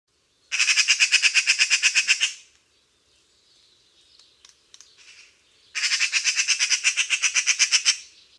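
Eurasian magpie giving two bursts of harsh, rattling chatter, about seven rapid dry notes a second, with a quieter pause between.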